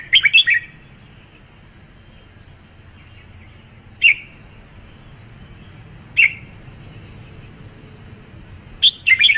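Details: Red-whiskered bulbul song: short bursts of bright, warbled whistled notes, given at the start and then repeated after pauses of about two to four seconds, over a quiet low background hum.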